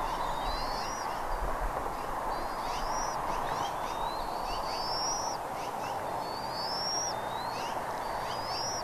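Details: Bald eagles at Redding on the morning of 17 April 2021, 08:15, giving high, rising whistled calls in quick succession with short chirps between, against constant broadband hiss.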